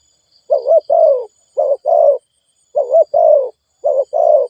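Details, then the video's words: Fast cooing of a spotted dove used to excite decoy birds: three clear double-note coo phrases, each a short rolling note followed by a longer mellow one, spaced about a second apart in a quiet setting. "Tiếng chim cu gáy kích boi (gáy gọi Gáy gù tốc độ)"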